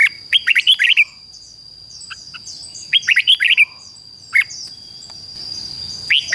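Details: Decoy red-whiskered bulbul singing to lure wild bulbuls: two bright phrases of six quick, liquid whistled notes about three seconds apart, with single short notes between, over a steady thin high tone.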